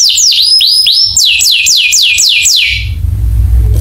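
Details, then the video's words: Canary song played to trigger other canaries: a quick chain of swooping downward whistles, some rising first, about four per second, ending abruptly into low background hum. "masteran burung kenari cuit cuitnya bikin kenari lain langsung nyamber"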